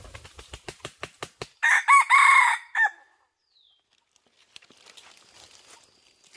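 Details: Red junglefowl during hunting with a decoy bird. A series of sharp clicks or taps comes first, then one loud, harsh crow of about a second and a half, followed by quiet with faint rustling.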